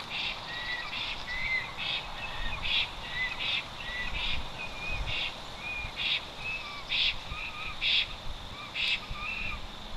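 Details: Loudly calling black stork back at the nest after a two-day absence, Notecka Forest, Poland, 12 August 2022: rising whistled notes alternate with rasping bursts, repeated about once a second, with lower slurred whistles toward the end.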